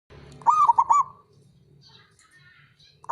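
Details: Male zebra dove calling: a quick string of soft, hooked cooing notes, then near silence before another coo begins at the end.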